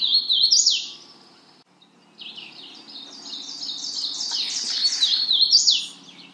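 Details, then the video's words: High rapid series of slurred, falling notes from a Magnolia warbler, a brief phrase then a longer rolling string that swells louder before fading. "Magnolia warbler Calling."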